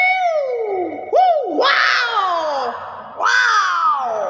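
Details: Nias hill myna giving loud, harmonic-rich calls: a long descending nasal note, a sharp rising-then-falling swoop, then two harsh, broad downslurred screeches about 1.5 seconds apart, in a quiet indoor setting.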